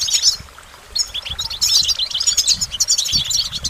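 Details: Goldfinch song: fast liquid twitters and jangling high notes, a brief pause near the start, then a continuous run of chattering trills over a faint low rumble.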